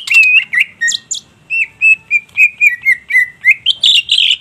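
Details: Greater green leafbird in vigorous song: rich whistled notes repeated about four per second with scattered high clicks, ending in a buzzy, scratchy flourish.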